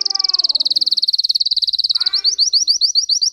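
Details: Russian canary bred for singing holds a fast, steady high trill for two seconds, then switches to quicker downslurred chips; faint low background sounds occur briefly.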